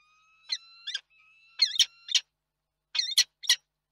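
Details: Wild peregrine falcons at a nest in Reda, Poland, on 31 March 2022, the male checking on his mate before flying off: high, harsh, chittering notes in short bursts, some doubled, against a faint thin whistling tone.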